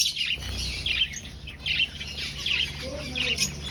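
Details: Finches in an aviary breeding colony, nest-seeking, utter high sharp tweets in irregular clusters about once a second, with several birds calling together over a low background hum.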